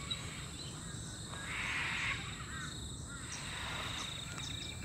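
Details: Sulphur-crested cockatoos squawking on a morning bird walk at Oxley Creek Common, Brisbane, Australia: a harsh, grating screech over steady low rumble and a thin high insect-like hum, with a few fainter rasping calls following.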